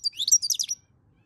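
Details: May 2022 recording of a European goldfinch in chauffer-style song: a rapid, bright burst of high twittering notes lasting under a second, then quiet.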